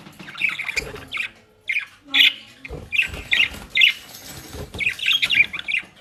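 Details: Budgerigars kept as pets near Den Haag, Netherlands, busy with dry leaves and grass; short grating squawks repeat at uneven intervals, about every half second late on, over low rustling and handling noises.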